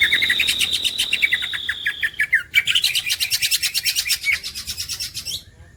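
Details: Champion green leafbird song: a steady high whistle with rapid chattering notes beneath it, a short break, then a fast dense trill of sharp repeated notes that fades out at the close.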